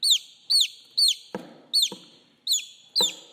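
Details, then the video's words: A chick calling for its mother gives single loud, falling peeps about every half second, punctuated by sharp knocking or tapping sounds. "TIẾNG GÀ CON KÊU, GÀ CON GỌI MẸ"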